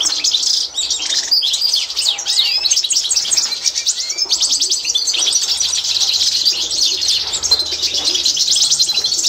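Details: Constantine goldfinch, a European goldfinch strain, in a 2024 training recording for learning birds. It sings a dense, unbroken warble of sharp chirps, metallic tinkles and short trills, all high-pitched, with brief sliding whistles early on.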